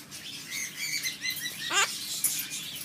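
A Yellow-collared macaw gives a string of thin, high chirps, then one rough, wavering squawk near the end, with a faint room hiss behind.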